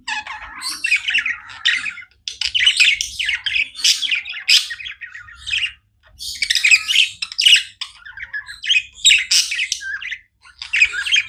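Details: Pet budgerigars chirping non-stop indoors: dense bursts of buzzy, scratchy warbling and sharp chirps, broken by brief pauses around two, six and ten seconds.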